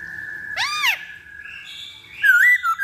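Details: Black-throated laughingthrush lure song, with a steady whistled tone, an arched harmonic-rich note, and a closing wavering whistled phrase rising and falling.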